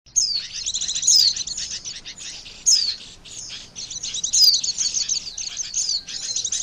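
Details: Oriental white-eye lure call used for trapping birds: high, rapid twittering trills broken by sharp downward-slurred whistled notes, in bursts about every one and a half seconds.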